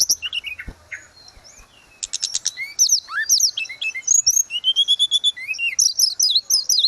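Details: Lively grey-cheeked bulbul song recorded as therapy audio for caged birds that have stopped singing: scratchy opening notes give way to rising whistles and rapid clusters of sharp, high chirps.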